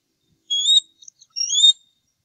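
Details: Two adult male eagles eating leftovers at a nest on the Upper Mississippi River Refuge in early April, after feeding the growing eaglets; two clear, loud, slightly rising whistled notes with soft chips between them.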